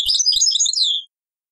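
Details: European goldfinch, Taqsrayn song style, old cassette recording: one quick phrase of high, tinkling twitters that ends in a drawn-out, slightly falling note.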